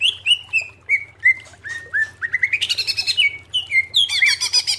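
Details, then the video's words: Greater green leafbird song: a run of clear whistled notes stepping down in pitch, then rising into rich, rapid mimicking phrases, over a low steady hum. "MASTERAN CUCAK IJO SUARA JERNIH"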